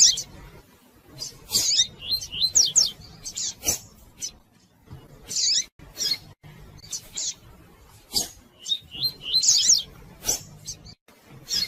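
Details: Female Double-collared seedeater calling and chirping repeatedly, a recording used to stimulate males to sing: groups of high, sharp chirps and rapid twitters, with pauses between bursts, plus scattered clicking and tapping noises.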